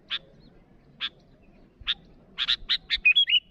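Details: Sooty-headed bulbul answering rivals with spaced harsh chips that quicken into a rapid run and end in a brief bright whistled flourish.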